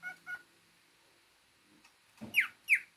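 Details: Indoor pet cockatiel giving two loud, bright rising-then-falling whistles near the end, after a couple of faint short notes and a quiet pause.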